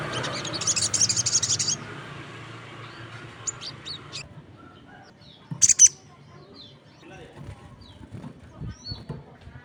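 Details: Crested jay in active voice with other birds responding: a dense, high rattling burst for almost two seconds, then quieter scattered chirps and a brief sharp double note near the end.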